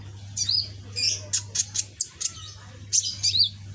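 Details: Caged young sunbird with red back learning its song gives a few high warbled notes, then a series of short sharp chips roughly every quarter second, with a low hum throughout.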